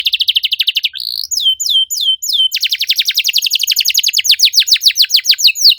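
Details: Canary song used as a lure to get a silent canary singing: a rapid buzzy trill, then a few loud down-slurred whistles, then a long fast series of sharp descending chirps with tight, dense delivery.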